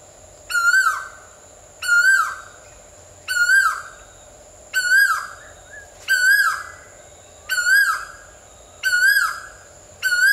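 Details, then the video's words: Asian koel giving a long series of eight strong, clear upward-slurred notes, evenly spaced about every 1.3 seconds, each bright and harmonic-rich, with a constant low hum behind. "Mesmerizing Asian Koel Birds' Sounds"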